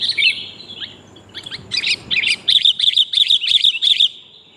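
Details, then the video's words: Female sooty-headed bulbul calling to the male, a recording used to lure birds: high chirps at first, then a fast, even run of sharp repeated notes, about three per second, in a quiet background. "kutilang betina memangil jantan"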